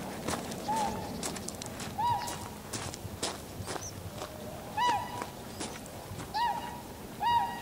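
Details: Tundra swans in winter, filmed 7 February 2015 with a Canon PowerShot SX60 HS and external microphone: about five separate clear, nasal honking calls spaced a second or more apart, with sharp clicking and rustling noises between them.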